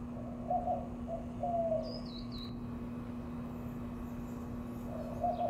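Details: White-winged dove during a mating dance in Mesa, Arizona, April 2022: short, hoarse mid-pitched cooing notes in a brief series, with thin high whistles from another bird and a steady low hum.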